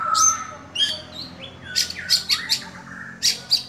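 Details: Kept oriental magpie-robin, called Kacer Dewa Air, singing openly in 'buka-bukaan' style: a clear high whistle and lower slurred note, followed by a run of rasping, chattering notes in quick succession.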